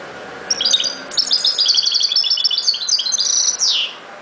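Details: Goldfinch song of fast liquid twitters and chirps lasting over three seconds, ending in a buzzy descending slur; a faint low hum sits underneath.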